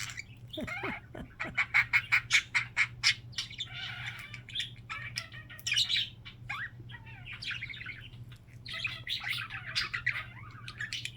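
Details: Pet budgerigar making its funny signature sound: a run of rapid, evenly spaced sharp chirps, then a busy scratchy warble of squeaks and clicks, over a steady low indoor hum.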